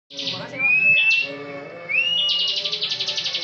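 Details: Bar-winged prinia, a competition songbird, in ngebren style: a brief buzz, then two rising whistled slurs, then a fast pulsing rattle, all over faint low background sounds.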